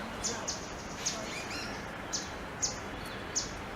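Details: At Sundarvan, Ahmedabad, in winter, a foraging Grey-headed canary-flycatcher calls excitedly to announce itself. Six piercing, very high, clipped notes come at uneven intervals over a constant hiss of background noise.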